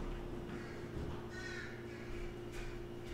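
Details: Crows cawing outdoors during a lecture while someone tries to shoo them away; a drawn-out hoarse caw in the middle, then a fainter harsh note near the end, over a steady low hum.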